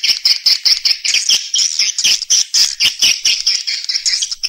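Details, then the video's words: Swiftlet calling and roosting sounds in stereo: high, buzzy chirps repeated steadily about four or five times a second, each a short bright burst, forming an even pulsing rhythm. "suara wallet-suara walet panggil + inap stereo-Suara Walet Original Bersih Plus Jernih"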